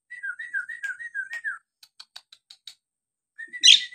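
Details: Nias hill myna whistling to provoke idle birds into song: about eight clear, falling whistled notes in quick succession, then a series of dry clicks and a final loud, harsh burst.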